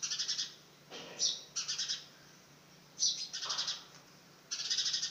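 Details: Young house sparrow trying to fly on its first flight, calling in quick bursts of rapid high chirps with short pauses between groups, over faint background hum.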